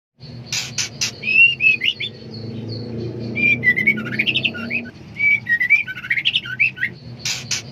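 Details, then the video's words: Female white-rumped shama in heat seeking a male: short whistled slurred notes between 2 and 4k, some rising and falling, in loose bursts, with sharp clicky broadband ticks at start and end over a steady low hum. "Suara Khas Murai Betina Sedang Over Birahi Mencari Jantan"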